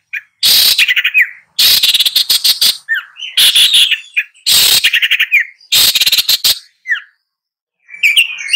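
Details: Long-tailed shrike giving loud grating bursts, each ending in a short slurred whistle, repeated in phrases about every second and a half.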